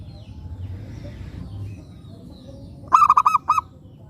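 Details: A quiet low hum, then one lure zebra dove of local stock bursts into a short run of quick, bubbling, pulsed coo notes near the end.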